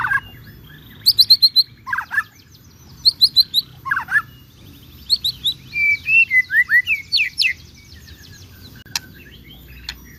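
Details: Energetic white-rumped shama singing as a lure to provoke other shamas to respond, with short bursts of sharp chirps and twittering notes followed by a longer flowing series of slurred, descending whistles, then quiet.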